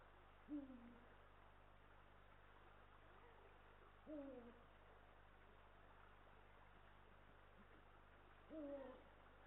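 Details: Male and female Eurasian eagle-owls at their nest in Estonia, filmed by a live nest camera on 18 March 2022; three deep, brief, downslurred hoots spaced about four seconds apart over steady hiss.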